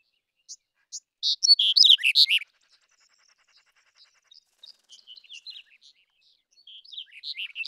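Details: Black-headed bunting singing: one loud phrase of quick, high chirping notes about a second long, followed by scattered faint, thin chirps and a few soft notes near the end.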